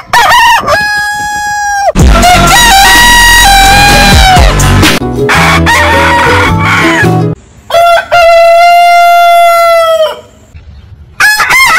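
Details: Rooster from a compilation of heritage chicken breeds crowing long, giving drawn-out harmonic crows with a brief break. A loud low rumble runs under the middle crow, then a clean long crow follows and another begins at the end.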